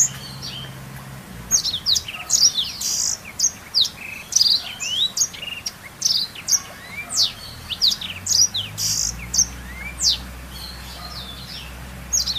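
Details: Continuous high-pitched black-throated canary song meant as master song for canaries, dense with rapid chirps, trills and sharp frequency sweeps across twelve seconds, only short pauses between phrases, a soft low hum in the background.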